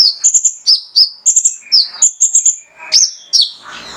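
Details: Male mangrove whistler singing to stimulate other birds: paired and tripled high chirps alternating with falling slurred notes, ending with a soft rustle.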